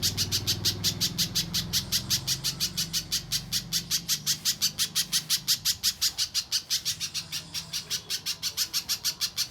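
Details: Mbeset-style song of a pijantung pisang spiderhunter, used as a master for contest birds: a brisk chain of piercing high notes, evenly spaced and clear, with low murmur fading after the first few seconds.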